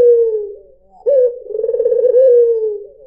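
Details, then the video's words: A white (albino) Barbary dove gives low, smooth coos, then a rolling, purring trill that swells into a long falling coo, played as a lure call for doves. "PANCINGAN SUARA BURUNG PUTER PUTIH || SUARA BURUNG PUTER MERDU"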